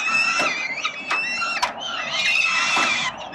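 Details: Peregrine falcon chicks at the 367 Collins nest, Melbourne, Australia, beg while being fed by their father in October 2021; shrill, overlapping harmonic screams, nearly continuous, with a few clicking taps.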